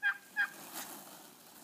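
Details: A wild turkey in a flock of about 30 in a Montana back yard one morning at the start of mating season, toms strutting, gives two short, throaty notes about a third of a second apart, then falls quiet over faint hiss.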